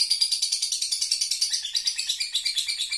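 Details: Continuous ngekek from a lovebird, a fast stream of harsh, high chattering pulses repeated roughly ten per second, slightly fading toward the end, nothing else audible.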